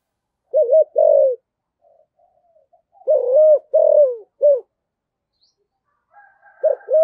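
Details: Vietnamese decoy spotted dove in the thổ voice style, giving its calling song with two tail notes. Groups of three or four mellow coos, the middle one longest and slightly falling, separated by pauses, with a faint soft whistle.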